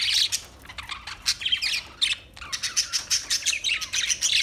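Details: Parakeet chirps: bright squeaky notes and rasping warbles in quick succession, turning into a steady pulsing chatter in the second half.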